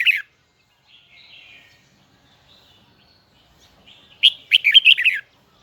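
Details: Red-whiskered bulbul of the Huế type singing in a high, double, twisting voice: a brief chirp, faint warbles, then a loud burst of rapid, varied whistled notes near the end.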